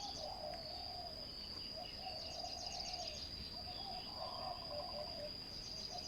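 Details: Spotted dove at a ground decoy-trapping site, giving low, hollow coos in rolling phrases of about a second, separated by short pauses. A steady high insect whine runs throughout, with faint chirps from other birds above.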